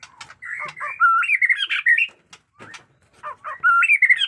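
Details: Caged white-rumped shama singing a rich, varied phrase: sliding whistles, rapid buzzy trills and harsh chatter, pausing briefly before a loud rising whistled burst.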